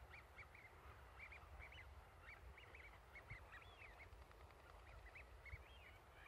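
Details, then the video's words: A flock of ducks on a lake (species uncertain, possibly ducks) calling contentedly in fine weather, a busy chorus of short, nasal, mid-pitched calls, several every second and overlapping, over a steady low rumble of wind or water. "鴨 鳴き声"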